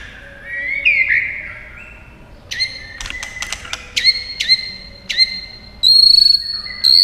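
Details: White-rumped shama in fighting song, beating its tail: soft whistles, a burst of clicking tacks, then repeated short whistled notes and loud pulsed trills.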